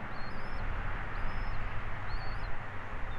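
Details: Afternoon of 29 December 2023 at Captiva, 14:31, a bald eagle on a live camera gives three clear, high, slightly wavering whistled notes with a flat top, spaced about a second apart, over heavy low-frequency background noise.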